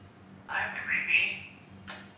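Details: A talking female African grey parrot about 2 years old says a short, speech-like phrase of about a second, then a brief breathy sound, over a faint low hum.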